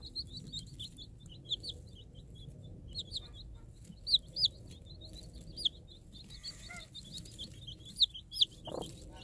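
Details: Day-old chicks of a free-range permaculture flock, raised by a game hen, give a continuous stream of high, sharp peeps in clusters, with an occasional louder cheep and a faint lower sound near the end.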